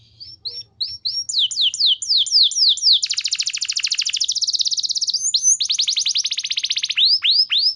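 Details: Canary song played to get other canaries singing hard: scattered short upslurs build into rapid falling sweeps, then a long dense buzzy rolling trill, followed by more quick downward slurs.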